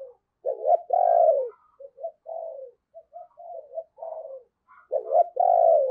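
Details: Decoy spotted dove giving its morning lure call for wild birds: two strong low drawn-out coos bracketing a run of softer, shorter coo notes, with faint high twittering behind.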